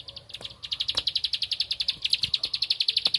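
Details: Rapid ticking song of a Bar-winged prinia looking for a rival: shrill clipped notes in quick succession, starting softly and growing louder and steadier, with scattered low taps in the background.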